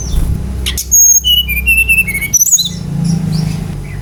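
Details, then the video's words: Brown-chested jungle flycatcher singing as a trigger for other birds: a short phrase of pure whistles dropping step by step from high to lower pitch, then a sharp upslurred note and a low background hum. "PANCINGAN GACOR SRDC agar cepat ngeplong"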